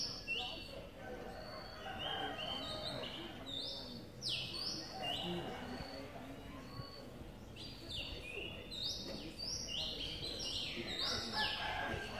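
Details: Two-day-old Streak-eared Bulbul chicks, Ubon Ratchathani, Thailand, 4 April 2023. Clusters of high, slurred chirps sound in irregular bursts, clustered early and late, with a quieter gap midway and faint low background noise.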